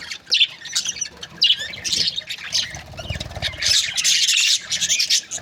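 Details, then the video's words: Budgerigar breeding pairs give scattered squeaky chirps that build into steady, scratchy group chatter in the second half, with a low rumble in the background midway. "Budgies parrot chirping sound"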